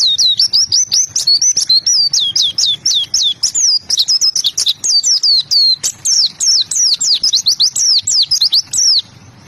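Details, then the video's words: Energetic oriental white-eye song, a long unbroken chain of very high, rapid chirping and twittering notes, evenly fast for nearly nine seconds before stopping. "Burung pleci gacor"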